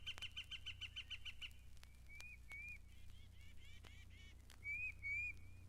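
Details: Yellow-shafted Flicker at Mountain Lake Sanctuary, Lake Wales, Florida, giving a quick run of about nine sharp, even notes, then several slurred, squeaky call notes, over a steady low hum.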